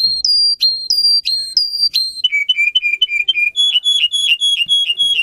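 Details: Russian canary bred for singing, used as a tutor for young canaries: clear whistled tones near one pitch held in long notes, then a faster run of short repeated lower whistles, all high and pure.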